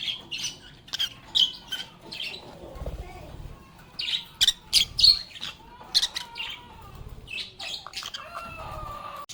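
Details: Lovebirds playing and chattering, with separate bursts of high chirps and sharp squeaks broken by short gaps, plus lower warbled, whistle-like notes toward the end.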